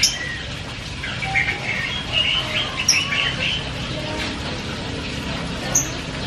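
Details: Javan myna in loud, varied chatter, mixing squeaky whistles, short warbled phrases and sharp high chips against constant low background noise.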